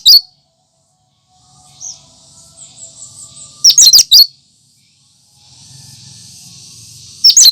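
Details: Cucak kinoi natural song, no mimicry. Short bursts of high, sharp twittering notes are separated by pauses filled with a steady high hiss and faint low rumble, and there is one isolated softer note.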